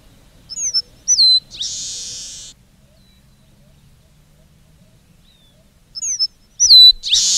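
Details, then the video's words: Red-breasted meadowlark giving its song twice, several seconds apart: each phrase opens with short whistled slurs and ends in a long, dry, buzzy wheeze. Quiet between phrases. "Canto do Polícia Inglesa do Norte"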